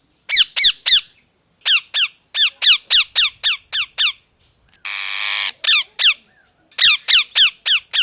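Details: [7, 'A parrot chirps steadily, its rough descending calls coming about three per second in groups. One broad, hissing screech interrupts the run midway before the chirping resumes.']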